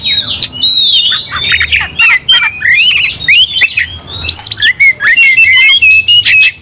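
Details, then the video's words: Oriental magpie-robin (kacer) singing in fighting mode, agitated and provoking other magpie-robins to anger: a fast, unbroken, loud, high-pitched jumble of sharp whistles, harsh squawks and rising slurred notes. "Kacer langsung TARUNG bongkar emosi bikin kacer lain ikut dongkrak amarah"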